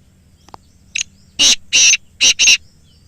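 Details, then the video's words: A loud, grating phrase from a black francolin, intended for playing to captive francolins to set them calling: faint clicks, a short high note, then four harsh bursts, the last two close together. "Kala Teetar Ki Awaz | Black Teetar Voice"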